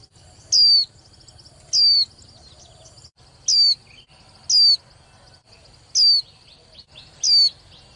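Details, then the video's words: Young female white-eye, used to spur males in singing contests, producing six loud, brief, descending whistles at roughly one-second spacing, backed by soft continuous twitters and low rumbling noise. "KHUYÊN MÁI TƠ - Kích Trống Líu Đấu Sung Hơn Mỗi Trận"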